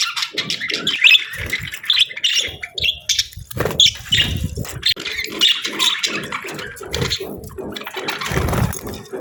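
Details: Pair of budgies during breeding season, bonding and preparing to breed; rapid high chirps and warbles over repeated low thumping and rustling, possibly wing or cage movement.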